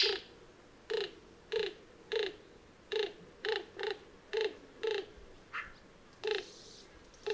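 Greater roadrunner giving a steady series of about a dozen short, low, hoarse coos, spaced roughly every half second, over a quiet background.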